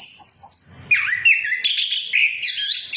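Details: Orange-headed thrush singing in a lure for silent birds: a thin high whistle, then a loud warbled run of slurred whistled notes rising toward the end.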